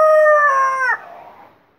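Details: Tail of a desi rooster's crow, called azan in Urdu: a clear, harmonic drawn-out note that slides slightly lower, then breaks off abruptly, leaving a fading rough echo.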